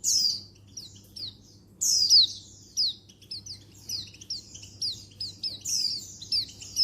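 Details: Female Oriental white-eye (pleci) calling to males, 19/11/22: an almost continuous busy series of high, thin, falling chirps and short twittering notes, varying in loudness, with a steady faint hum behind.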